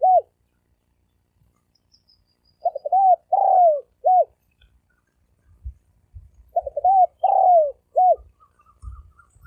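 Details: Spotted dove cooing thổ sấm đồng style as a lure to draw males and females: two full phrases of short low notes, a long falling coo and a short closing hoot, with low thumping handling sounds.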